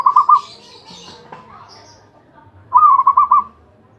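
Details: Zebra dove in continuous song: the tail of one pulsed cooing phrase, then after a pause of about two seconds a full phrase of six or seven quick mellow notes, with faint background chatter.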